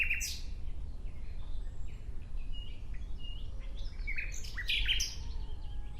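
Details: Singing nightingale giving a sharp descending note, then a loose sequence of varied short whistles and chips, with a louder cluster of piercing notes near the end. Faint distant birdsong and low rumble sit underneath.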